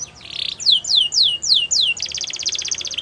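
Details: Border canary training song for young canaries: a buzzy note, five loud slow descending whistled sweeps, then a fast rattling trill of rapidly repeated notes.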